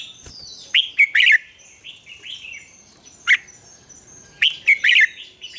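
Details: Morning song of a red-whiskered bulbul in the double-note wild style, a training lure; loud liquid warbled phrases at the start, mid-clip and end, separated by soft high twitters from other birds.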